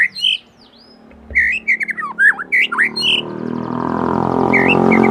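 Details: Young white-rumped shama singing to provoke other birds into song: a rapid run of varied sharp whistles, chirps and downslurred notes for about three seconds, then a rising hiss of background noise with one brief chirp near the end.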